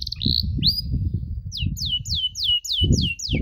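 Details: Canary in a recording for training young birds to learn its chirp: a couple of upward-swept notes, then a quick run of falling whistled slurs, over steady low rumbling thuds and handling noise.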